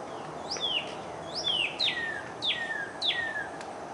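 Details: Cardinal singing a series of five downslurred whistles, each dropping steeply in pitch and repeated roughly every half second, against a constant hiss of background noise.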